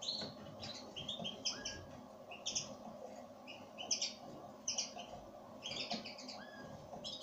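Pine grosbeak calls: short, clear chirping notes, often doubled, in bursts roughly every second, over a steady low background hum.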